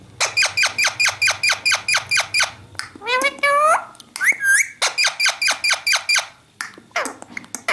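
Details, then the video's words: Talking parrot producing rapid, evenly repeated squeaky speech-like syllables, about two per second, broken midway by sliding, rising whistled squeals, then resuming the quick repeated pattern in a quiet small room. "Talking parrot"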